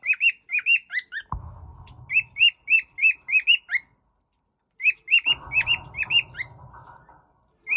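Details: Pet cockatiel whistling bright, rising-and-falling notes in quick runs, pausing twice, with bursts of low rumbling background noise under the second half.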